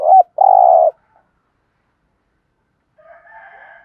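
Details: A decoy spotted dove opens with one thúc gù phrase, a brief looping coo then a long buzzy purr. Silence follows, then a faint, thin, wavering sound near the end.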